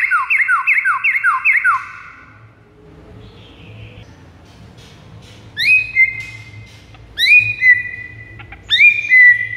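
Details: White-rumped shama song for luring rivals: a rapid rolling series of descending whistles, a long quiet stretch with low hum, then three sharp rising whistled phrases.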